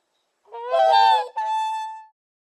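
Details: Real swan recording: a single drawn-out, nasal honk, rising and wavering, breaking briefly and then carrying on as a steady, even tone that fades out, with no other sounds.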